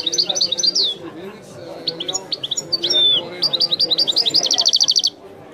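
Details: Goldfinch song in the Algerian 'wiidani' style from a bird called Messi: clear rising and falling whistled notes, a sharp descending slur, then a quick run ending in a rapid buzzy trill.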